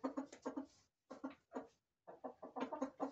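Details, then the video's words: Chickens, roosters and hens, kept in a farm corral: quick runs of short, throaty clucks, several per second, in three bursts split by brief silences. "Gallos y Gallinas"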